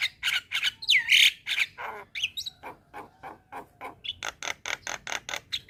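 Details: Javan myna song of rapid harsh, rasping notes with a swooping whistle early on, then a steady series of short scratchy bursts roughly three to four per second.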